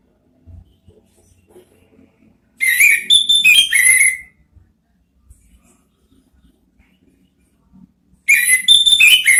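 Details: Orange-headed thrush (anis merah) ngeriwik singing: two loud bursts of varied whistles and twittering notes, each under two seconds, separated by several seconds of near-silence with faint low knocks.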